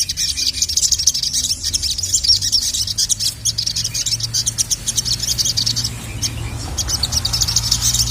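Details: An excited sogon, or Little Spiderhunter, calls for a male on a training track. Dense, continuous high-pitched chattering runs through the whole stretch with little pause, over a faint low hum.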